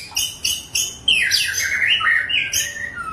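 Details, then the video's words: A wild shama sings in Bahorok forest, opening with three spaced sharp chirps before a tumbling phrase of looping, descending whistles. "Kicauan Asli Hutan Murai Bahorok"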